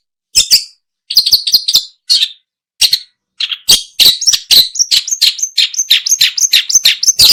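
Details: Long-tailed shrike, a recording used for luring birds: varied high chirps and sharp notes, scattered at first, then a fast, dense run of short downslurred twitters building toward the end.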